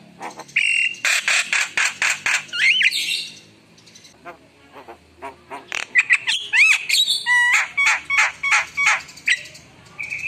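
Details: Javan myna in full song: harsh chattering, looping upslurred whistles, a quieter gurgling interlude, then rapid repeated whistled notes and squawks.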